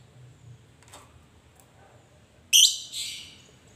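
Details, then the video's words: Lovebird calling a rival: quiet at first with a faint tick, then one abrupt, harsh, high screech trailing into a softer raspy note. "Pancingan Lovebird Paling Di Cari Memanggil Lawan"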